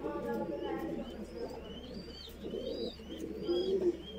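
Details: Voorburg Shield Cropper chick, a fancy pigeon breed from the Netherlands, begging while fed; buzzy low murmuring throughout, rising to a louder squealing burst near the end, with high whistled chirps from nearby birds.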